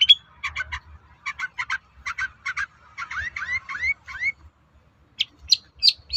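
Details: Long-tailed shrike singing to draw replies from other shrikes: clusters of stacked chattering notes in quick groups, then a series of downslurred whistles and a few sharp high chirps.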